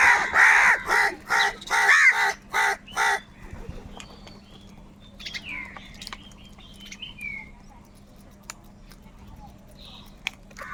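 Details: Crows fighting for food: a run of six harsh, even caws about half a second apart, then quieter background chirps from other birds and a faint hum.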